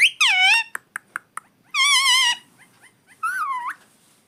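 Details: Talking pet parrot: a loud wavering harmonic phrase, then several sharp clicks. A long buzzy, richly harmonic utterance follows, ending with an upward-sweeping call.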